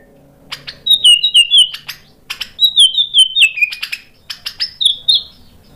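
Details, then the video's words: Lively White-rumped shama song, full of sharp fill-ins and meant to lure other birds into answering: clipped downslurred whistles in short groups, with crisp chips between them over a quiet background. "MURAI BATU GACOR bongkar isian tajam cocok untuk PANCINGAN biar ikut NYAUT BUNYI"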